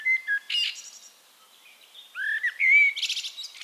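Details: Eurasian blackbird singing in Castricum, the Netherlands: a mellow whistled phrase near the start, then after a pause a rich fluting strophe that ends in a high, scratchy twittering flourish.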